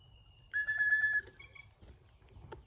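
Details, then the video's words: Cowbird at a feeder among a flock during migration, giving a thin high whistle that runs into a loud, steady, buzzy tone with strong overtones lasting under a second, then a short higher note. "Love the funny sound cowbirds make!"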